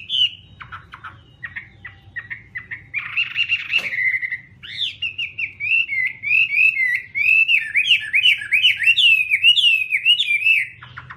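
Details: Chinese hwamei opening with scattered short notes and a harsh buzzy burst, then breaking into a long, rapid, fluid warble of tumbling whistled notes.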